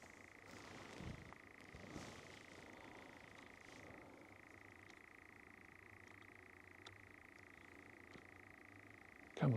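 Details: A European nightjar churring after dark on Surrey heathland in late June 2024 as the recordist walks back: a distant, sustained, even trill runs throughout, shifting pitch slightly midway, with a rustle of movement at the close.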